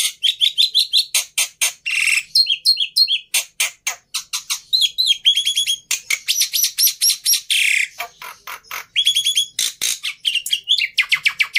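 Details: Black-winged myna song: a rapid, varied run of harsh buzzy bursts mixed with clear high whistled notes and short repeated chirp series, delivered almost without pause.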